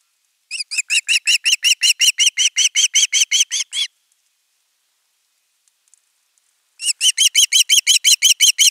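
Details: Osprey chick begging for fish at nest 3, live nest camera, 10 August 2021: a run of rapid, regular whistled chirps, a pause of nearly three seconds, then the same quick chirping series resuming.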